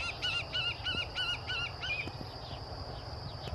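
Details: An adult White-tailed Hawk at the Zamorano University equestrian club, Francisco Morazán, Honduras, on 13 December 2017, gives about six quick, high, slightly bleating notes, roughly three per second, then falls silent over a low rumble of wind or distant traffic.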